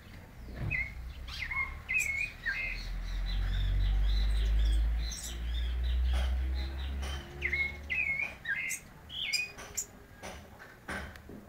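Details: A white-necked thrush calling a little at midday gives short, clear whistled phrases at a steady mid-high pitch, several per second in loose bursts, over a heavy low rumble of wind or handling.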